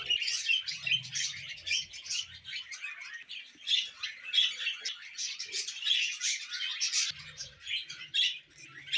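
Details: Pet budgerigars chirp and warble in an unbroken, high-pitched, gritty chatter with short sharp squeaks scattered throughout and faint low hum at moments.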